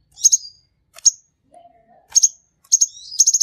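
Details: Very high sharp double chirps and rapid stuttered notes from a sunbird called king konin, ending in a fast run. A brief low whistled tone sounds separately in the middle.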